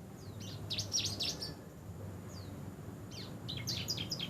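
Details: Canary kept at home for 23 days, described as singing actively: bursts of high, sweeping chirps and rapid trilled notes, a pause with a few thin slurred whistles, then another loud chattering burst, over low rumbling background noise.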